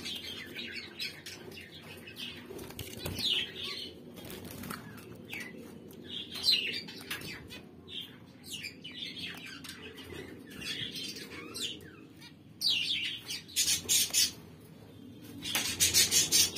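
Zebra finch chicks give high, thin, rapid calls amid wing flutters.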